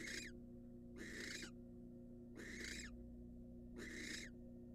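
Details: Harsh hissing screeches from a wild barn owl returning to incubate in a monitored nest box, four evenly spaced bursts about 1.3 seconds apart, coarse and breathy, over a low continuous drone.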